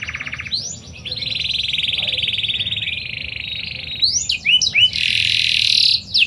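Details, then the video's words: Panda canary song played to draw other canaries into singing: a harsh, buzzy sustained roll lasting about two seconds, followed by sharp upswept notes and another loud grating trill. "PANCINGAN KENARI PANDA GACOR"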